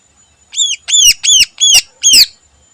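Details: Morning song of a greater green leafbird (cucak ijo): five loud arched, rasping notes in quick series, each rising then falling, about two per second.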